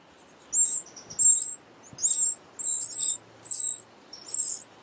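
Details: Eurasian wren family nesting under a pavilion, protected from wind and rain; a steady run of six or seven high, sibilant squeaky calls, each about a third of a second long, over faint background rustle.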